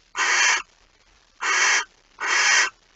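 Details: Barn owl calling at the nest early on 26 August 2019 as the night's second mouse arrives: three long, coarse, breathy screeches of nearly half a second, evenly spaced, with near silence in between.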